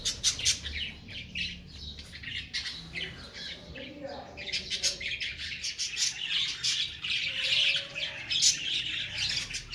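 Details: Female cockatiel grieving and angry after losing her two young: loud, scratchy screeches and shrill chirps tumble out in rapid, uneven sequences, briefly quieter midway.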